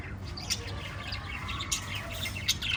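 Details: Five lovebirds kept as a family give short, bright chirps scattered through the moment, some sharp and high, others softer and slurred, over a steady low background hum.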